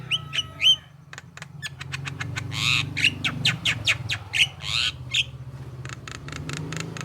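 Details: Javan myna (jalak kebo) singing to provoke other mynas into answering: harsh squawks, clicks and rapid repeated chips with whistled notes, over a steady low hum.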